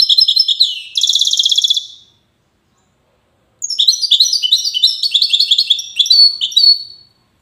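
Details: European goldfinch from Safi, Morocco, singing in the Widani style: a tinkling twitter slides into a fast, buzzy trill, then silence, then a longer run of bright, liquid chirps and ringing notes.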